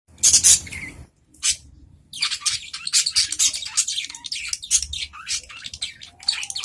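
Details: Adult budgerigars in a cage answering one another with melodious song: dense, rapid chattering warbles and scratchy chirps in overlapping bursts, after a short opening burst and a brief pause.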